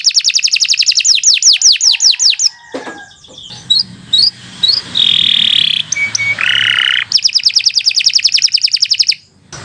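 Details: Canary used as a training model for other canaries sings a rapid series of high downslurred whistles, breaks into scattered chirps and a buzzy note, then resumes a fast rolling trill.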